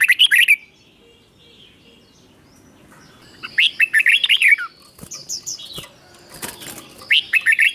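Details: Caged red-whiskered bulbul singing in the doubled 'beun' style, meant for young birds to copy: three bursts of quick, warbled, bubbly notes, the middle one the longest, separated by quiet gaps with faint background hiss.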